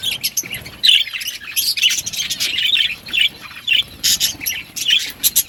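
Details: Several budgerigars eating green food chatter in quick, bright chirps and warbled twitters. The notes come in uneven bursts a fraction of a second apart, broken by short pauses, and the birds overlap one another.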